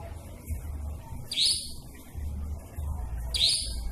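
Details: Nightjar heard at night, a call considered creepy. Two short, harsh, scratchy bursts two seconds apart over a low droning rumble.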